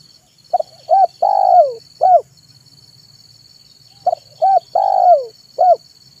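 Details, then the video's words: Zebra dove singing in the afternoon, a recording meant to lure wild birds: two identical phrases of quick clipped notes, a long falling rolling coo and a last short note, about four seconds apart, with a steady high hum. "SUARA BURUNG TEKUKUR MANGGUNG DI SORE HARI"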